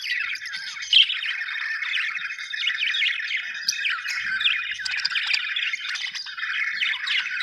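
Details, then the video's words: Happy budgerigars chirping, described as Australian birds: a dense, continuous chatter of warbled, scratchy chirps and squawks from several birds, with no pauses. "happy budgies chirping sound"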